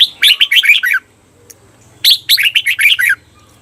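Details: Training recording of a caged red-whiskered bulbul for the long doubled "bernl" song: two loud bubbling phrases, each about a second of fast warbled notes falling in pitch, separated by a brief pause.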